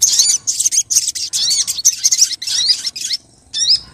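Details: Olive-backed sunbird female calling the male, a lure sound. A nearly continuous stream of high, chattering chirps with sweeping notes, over a faint low background hiss, ending after a short pause in a final burst.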